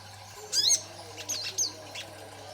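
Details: Young sogon in green juvenile plumage, kept for lure and training recordings, singing actively with twittering chatter: a few sharp, high chirps and short squeaky phrases in brief bursts over a steady low electrical hum.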